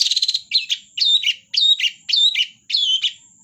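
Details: Long-tailed shrike from the Indonesian songbird hobby scene in full song: a fast stutter of notes, then sharp sliding whistled notes with buzzy edges, about two each second, loud with no background.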